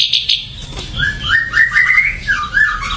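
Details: Ashy drongo said to be dosed with a supplement, singing varied short whistled phrases that rise and fall in quick succession, opening with two brief high notes.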